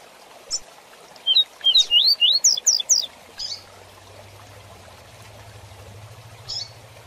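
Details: Double-collared seedeater singing the rapid 'Tui Tui Zel Zel' song used to train young birds: nine or so quick, clear upward-sweeping whistles, ending in higher notes, with faint hissy splashes and a low hum underneath.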